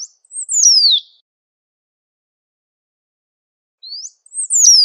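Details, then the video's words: Great pampa finch in nature: a high descending whistled phrase, a pause of about three seconds, then an upslurred note leading into another falling whistle; nothing else audible. "SABIÁ BANHADO CHAMANDO E CANTANDO MUITO NA NATUREZA"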